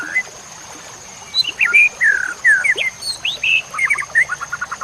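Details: White-rumped shama song used as a masteran to train songbirds: after a quiet start, rich slurred whistles rise and fall, then a fast trill of short repeated notes. A continuous high electronic whine underlies everything.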